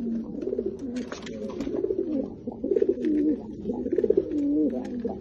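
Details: Loud, close cooing of a Lotan tumbler pigeon kept indoors: rhythmic, bubbling, rising-and-falling coos in repeated bursts roughly every second, with small clicks and taps around.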